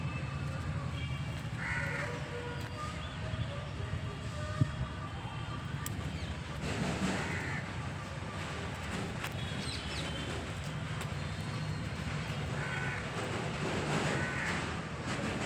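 A domestic goose gives harsh, nasal honks in a few separate bursts over a steady low rumble.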